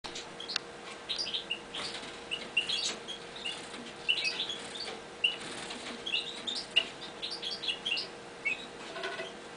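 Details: Eurasian bullfinches in a new cage give short, soft chirping notes at an irregular pace, with wing flutters and a steady low hum behind them.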